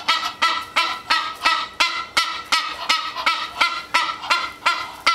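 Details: Hungry female Egyptian goose calling at the back door in the morning once the house lights come on, a rapid, even series of rasping honks, nearly three per second.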